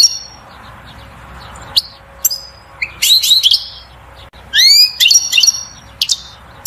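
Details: A male European goldfinch gives its strongest song to stimulate a female to mate and build a nest: quick bursts of bright, tinkling twitters and liquid rising trills, separated by brief pauses, over a faint steady hum.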